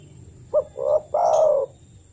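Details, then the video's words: Spotted dove call used as a lure to coax a kept dove into calling; in the wild it calls other doves. One low cooing phrase: a short clipped note, a rounder coo, then a long drawn-out coo that sags at the end. "TEKUKUR TAK KUNJUNG BUNYI PUTAR SUARA TEKUKUR INI"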